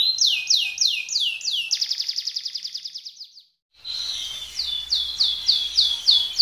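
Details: Colour canary song with repeated upward-sweeping whistles leading into a fast buzzy roll, a short pause, then more rising slurred notes, over faint low background hum.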